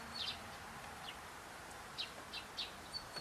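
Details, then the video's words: Tits at a bird feeder outside a window give short, thin, high chirps, some with a sliding downward stroke, about seven scattered notes in three seconds over a soft steady hiss. "Sikorki za oknem"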